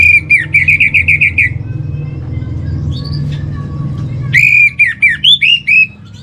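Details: Orange-headed thrush master song for calming a caged bird. It gives a fast string of about eight ringing, down-slurred whistles, a pause with faint notes, then another bright burst of varied whistles over a low hum.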